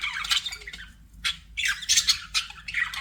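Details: Pet budgerigars giving a string of harsh, scratchy squawks and chirps in short bursts, with brief pauses between them and a faint low hum beneath.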